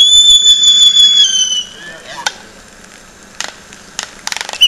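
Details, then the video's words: Laysan albatross courtship dance at Princeville, Kauai, Hawaii: a high, steady whistle held over a second, gently falling, then a scatter of sharp bill clacks and brief rattles. Laysan albatross. "Laysan Albatross Courtship Dance"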